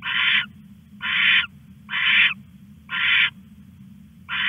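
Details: Owl stashing a rat at 1:41 am, 21 August, on a live camera; rough rasping screeches roughly once a second, separated by short quiet gaps, over a low background hum.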